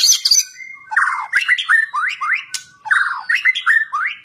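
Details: Kept white-rumped shama (murai batu) singing in an energetic, insistent fighting style: a harsh high burst opening, then a fast series of rich whistled notes that slide down and sweep up again, delivered loud and dense.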